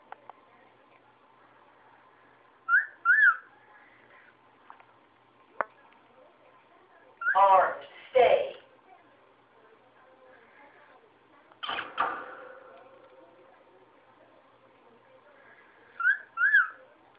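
A cockatiel whistles short paired notes that rise and fall, with louder chattering bursts between phrases.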